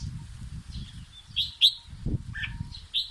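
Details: Red-whiskered bulbul singing to teach its chicks: a few separated, clear whistled notes and short phrases over a continuous low rumbling background noise.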